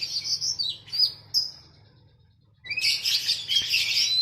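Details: Captive oriental magpie-robin training song set beside sooty-headed bulbul: high whistled phrases, a quiet gap of about a second, then a loud dense burst of chirps and whistles.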